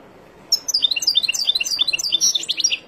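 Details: European goldfinch from the wild, starting after a brief quiet moment. It breaks into a dense, rapid twitter of high, bright, jingling notes that ends in louder buzzy chirps.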